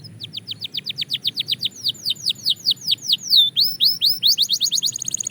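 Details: Belgian canary singing practice: a fast series of clear downslurred chips, slowing into longer swooping whistles, then quickening again into high rapid notes, all bright and loud.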